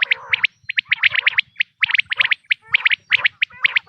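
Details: Natural quail voice for hunting, 2026 season: rapid groups of crisp, high, clipped notes in bursts of two to four, separated by short gaps, with some lower, buzzy rattling underneath.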